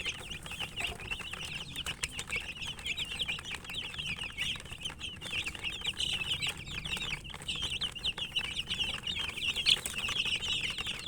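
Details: A crowd of chicken chicks peeping nonstop while eating, high thin chirps overlapping into a steady twittering chorus, with soft pecking and rustling underneath.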